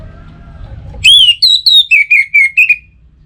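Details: Orange-headed thrush song for morning and evening, played to get other birds singing: a bright rising whistle followed by a series of clear slurred notes stepping gradually downward, crisp and loud.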